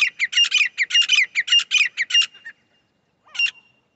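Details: Grey francolin (titar) call used as a lure for trapping: a fast run of about twelve loud, harsh, ringing notes packed into two and a half seconds, then a pause and one more short note.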